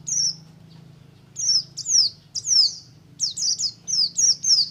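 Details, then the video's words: Oriental white-eye, buxtomi type, giving ngalas song to set other white-eyes singing: loud, clear, high downslurred whistles, some long and sweeping, delivered singly then in a quick run of five. "BUXTO NGALAS, untuk merangsang pleci ombyokan agar cepat ngriwik"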